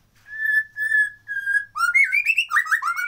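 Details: White-rumped shama singing, a recording of its natural voice without effects: three long, steady, clear whistles on one pitch, then a rapid run of varied rising and falling whistled phrases.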